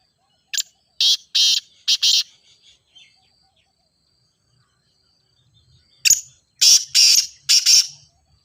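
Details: Grey francolin (teetar, ghogha teetar) calling, played to prompt other francolins to call: two loud harsh phrases of four rasping, broadband notes each, the second phrase starting about five seconds after the first, with silence between.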